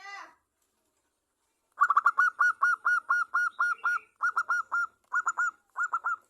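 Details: Lure song of a local zebra dove from Java: after a short silence, a fast run of staccato coos settles into evenly spaced clear notes, then short clusters of two to three coos separated by small gaps.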